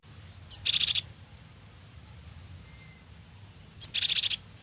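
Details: Cinereous tit (gelatik batu) in lively, varied full song: two short bursts about three seconds apart, each a thin high note followed by a rapid run of about six bright, high-pitched notes, over a faint low hum.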